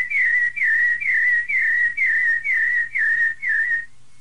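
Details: Rufous-bellied thrush recording in the Piedade style, said to contain female calls to excite a pet bird: eight clear, downslurred whistles in steady succession, roughly two per second, then silence with a faint hum.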